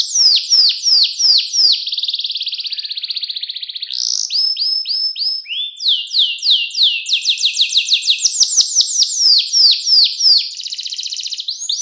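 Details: Canary singing a luxurious clear song used to tutor young canaries: loud repeated downslurred whistles, fast rolling trills, bursts of sharp chirps and a steady rhythmic series of rising notes, changing phrases every few seconds.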